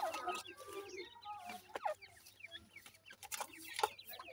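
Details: Francolin chicks calling in a crowded chorus of high, quick peeps and short slurred notes, with a few louder sharp taps and some low murmuring between the chirps.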